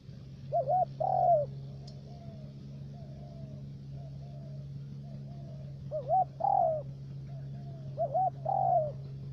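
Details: Decoy spotted dove for trapping in U Minh, Khánh Hòa commune, Cà Mau, Vietnam, three-note voice: three cooing phrases spaced a few seconds apart, each a wavering note then a louder falling coo, with faint echoing notes and a continuous low hum.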